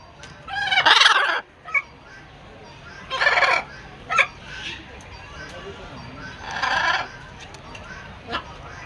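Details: Macaw parrot roaring: loud, harsh, raspy screeches in three main bursts, each lasting under a second, with a few shorter squawks between them over a steady background hum.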